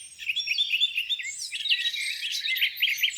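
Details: Softer mix of birdsong by a lake on a spring morning: twittering chirps and short warbled phrases from several birds, growing busier, ending in a run of repeated bright notes.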